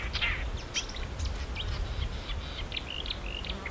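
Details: Marsh warbler, a mimic of other birds' voices, giving a lively medley of scratchy bursts, high clicks and short level whistles in quick succession, fairly quiet over a low constant hum.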